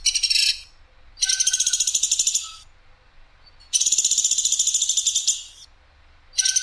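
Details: Sampit woodpecker with clear, coarse, sharp 'shooting' calls for masteran: a short rasp, then two long grating pulsed rattles of about one and a half seconds, and the start of another at the end.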